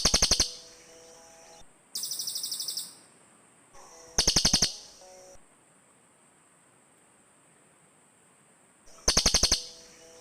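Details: Forest lure recording of cililin birds answering each other: four separate bursts of fast, metallic ticking notes, each under a second, with long quiet gaps between them.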